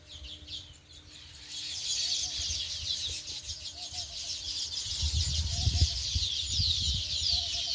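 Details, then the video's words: A chorus of sparrows keeps up rapid, overlapping high chirps, growing slightly louder over time, while low rumbling noise swells in the second half and a faint hum persists. "चिमण्याचा आवाज | Sparrows sound"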